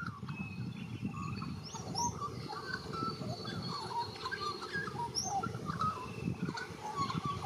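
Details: Australian magpie (Gymnorhina tibicen), white-backed form, warble song: a rambling run of fluty, gurgling notes and short whistles, over a low rumble of wind and background noise.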